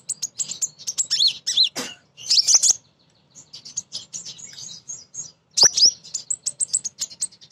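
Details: A female crimson sunbird's lively calling to males, meant to lure birds into singing: dense strings of high, thin, rapidly repeated chips and twitters, with downslurred notes and two sharp clicks.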